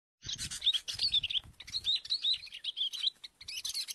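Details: Sooty-headed bulbul, from a bird-luring session: quick bright chirps and short warbled phrases, many notes sliding up and down, tumbling on with brief gaps, faint low rustling below.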